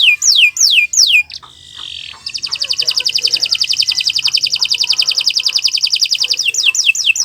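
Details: Canary song for training other birds: three falling whistles, a brief buzzy rasp, then an even rolling trill held for about four seconds before falling sweeps return.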